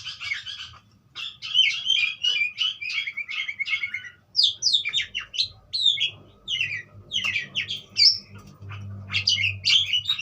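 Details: Budgerigar song made of quick bursts of twittering, squeaky and buzzy notes separated by brief pauses, with a steady low hum in the background.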